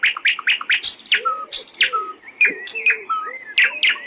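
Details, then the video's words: Thrush nightingale song: a rapid run of dry clicking notes and rattles mixed with pure whistles, clear and loud against a quiet background. "Thrush nightingale"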